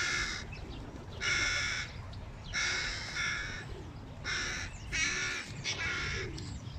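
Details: Hooded crow nestlings clamour for food when their father appears with it, giving some six hoarse, buzzy screeches in quick succession against low background rumble.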